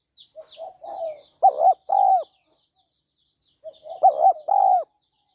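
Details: A female spotted dove gives soft rising murmured notes leading into a sharp double coo and a long throaty coo, calling to stimulate a male; the whole phrase is repeated once after a pause.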